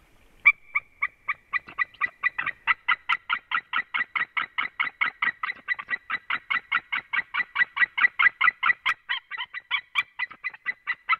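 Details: A white-tailed eagle calling at its nest on an afternoon in early November gives a long, steady series of sharp, yelping notes, about two to three each second, that carry on without a break.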